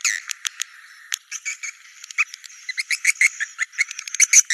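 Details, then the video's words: Swiftlet lure sound used to attract swiftlets to nests: quick, high, dry twitters and clicks, some singly and some in rapid bursts, growing busier toward the end. "Suara Burung Wallet"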